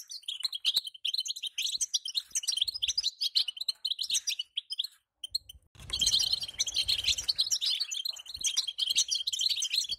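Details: Caged female European goldfinch calling to prompt a male to sing: dense bursts of high, thin chirps and twittering notes, with a short quiet break near the middle and faint low room thumps.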